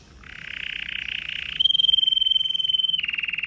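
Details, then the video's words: Red mosaic agate canary singing powerfully: a buzzy trilled passage, then a sustained pure whistled tone held over a second, ending in a rapid pulsing trill, rhythmic pulses throughout, with low background hum. "Powerful song of Red Mosaic Agate Canary"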